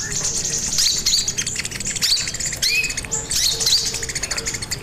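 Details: Lively crimson sunbird song for luring and tutoring other birds: bright high chirps packed tightly together, a few clear rising whistles, and faint low dashed humming behind.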